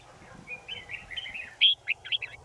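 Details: Red-whiskered bulbul song of quick liquid warbled notes building into one loud, bright whistled phrase, followed by three short chirpy notes at even spacing; steady low background hum.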